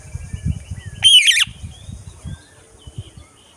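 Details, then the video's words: Parakeet giving a single loud, harsh screech lasting under half a second, set against a low, uneven rumbling background and faint thin tones. "Parrot Sounds , voice টিয়াপাখির ডাক"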